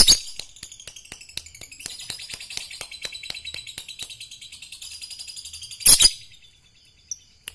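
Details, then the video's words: Lovebird in training for song contests: a long, fast string of clicking, scratchy chatter notes repeated several times a second, then a sudden loud harsh burst and a few sharp chips. "latih Lovebird agar fighter"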